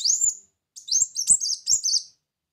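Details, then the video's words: Brown-throated sunbird song used as a lure sound to attract birds: a high, thin upslurred whistle, then after a short pause a quick run of four sharp, rising and falling chirps, with faint clicks in the background. "Pancingan Bunyi Kolibri Muncang"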